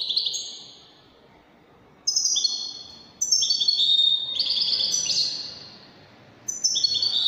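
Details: European goldfinch singing in the Moroccan Widani style: bright, high twittering phrases with tinkling notes, delivered in bursts separated by short pauses of one to two seconds.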